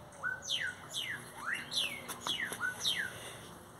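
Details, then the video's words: Great-tailed grackles singing near a Brugmansia tree, a quick series of steeply falling whistles mixed with rising slurs and short clicking notes, densely repeated over a few seconds. "tordos cantando ( Quiscalus mexicanus)"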